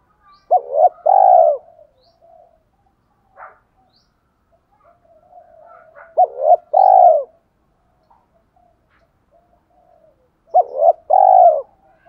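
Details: Spotted dove giving thổ pha đồng style coos to provoke wild doves: three loud phrases roughly five seconds apart, each a quick double note and a long falling coo, with soft low notes in the gaps.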